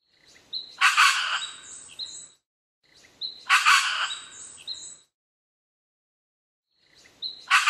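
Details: Red wattlebird in Australia, 21 December 2015, giving harsh, raucous, coughing calls with a thin whistled note, repeated in bursts about every three seconds against a quiet background.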